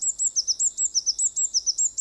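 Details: A Eurasian Blue Tit, a common garden visitor busy finding food and building nests at this time of year, sings a fast, bright, even trill of thin, very high notes, about six each second.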